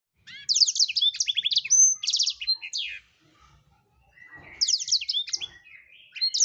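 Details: Black-throated canary (blackthroat), singing actively, used as tutor song for training songbirds: rapid high chattering trills and sweeping whistled notes for about three seconds, a pause, then another bright twittering burst.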